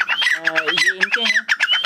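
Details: Several captive Irani (Dakhni) partridges, kept in Sindh, call nonstop in a rapid, harsh, squawking chatter of overlapping notes, several per second, with a man's voice faintly underneath.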